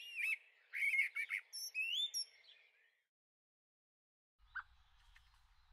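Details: A juvenile Eurasian blackbird in a garden, 23 May 2013. A short jumble of squeaky, warbling notes and a rising whistle comes first. Near-silence follows, broken by a single soft note and a low rumble.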